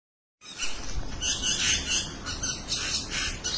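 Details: Several birds calling to one another: a dense, continuous wash of high chirps and twitters after a brief silent start, with no single voice standing out.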